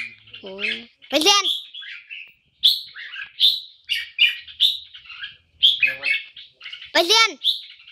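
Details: Red-whiskered bulbul delivering its Poi Sian style song, a run of sharp, chirpy, high warbled notes repeated about every half second, with a man's excited voice breaking in several times.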